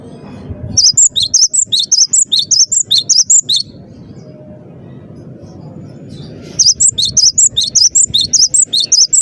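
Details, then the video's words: Gelatik batu, the Cinereous tit, in full gacor song: a burst of rapid, high-pitched whistled chips that alternate up and down, a pause of about three seconds with only a low murmur, then a second similar burst. "burung gelatik batu gacor dor"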